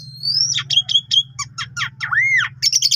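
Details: Javan pied starling singing energetically, a 'gacor' bird with a full repertoire used to tutor canaries: a rising whistle, scratchy chattering notes, a loud arched whistle and harsh buzzes over a steady low hum.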